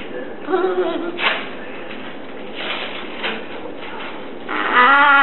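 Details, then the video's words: Catablue macaw chatting as it watches television: uneven voice-like phrases and short bursts, ending in a loud, drawn-out, nasal call. "Catablue Macaw talking up a storm while watching tv."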